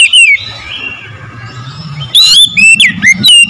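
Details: Oriental magpie-robin song meant to get a bird singing and spreading its tail: loud, clear whistled notes and sharp slurred phrases in short bursts, separated by a pause with a low rumbling background.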